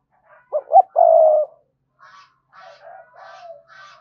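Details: Spotted dove cooing in thúc style to draw wild males in to fight: two quick rising coos and a long flat drawn-out coo, followed by a series of softer, buzzy murmured coos.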